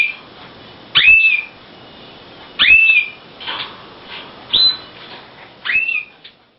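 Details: Male Timbrado canary in a breeding cage with a new hen, singing to her as she shows no response: short whistled phrases, each a sharp rising sweep into a steady tone, repeated about every one to two seconds with brief gaps.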